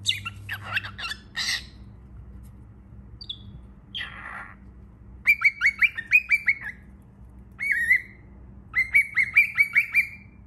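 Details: Baby cockatiel: scratchy, raspy bursts at the start, then runs of quick, evenly repeated whistled chirps, about six to eight in a row, broken by short pauses.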